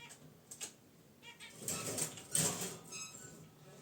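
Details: Caged zebra finches resting near their wicker basket nest. A few brief nasal chirps are followed by a stretch of loud, broadband rustling or wing flutter, then more soft chirps. Indoor setting, unedited sound.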